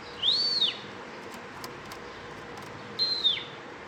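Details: Bimaculated lark singing: two clean arched whistles, each rising then dropping, spaced about three seconds apart over faint background hiss.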